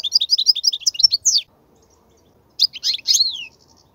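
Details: Wild European goldfinch song used for teaching young goldfinches: a fast run of high, tinkling twittered notes, a pause of about a second, then a second burst ending in a descending drawn-out note.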